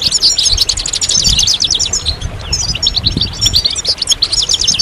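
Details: Several European goldfinches twitter together in a stimulation recording meant to bring birds out of moult: rapid, crowded chirps and jingling trills run nonstop and densely layered, with faint low thumps underneath.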